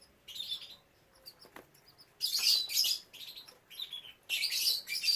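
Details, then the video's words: Captive canaries at a breeding setup with chicks, giving bursts of high, noisy chirping and twittering in three main loud phrases separated by short quiet gaps, with a few softer single chirps between. "Beternak burung kenari | anakan kenari"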